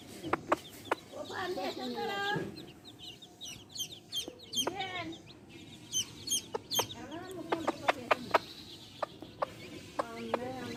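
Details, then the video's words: Hen with baby chicks: quick, high descending chirps from the chicks scattered throughout, mixed with low, soft clucking from the hen. "Hen sounds | chicks sounds | relaxation sounds | hen videos | baby chicks chirping sounds"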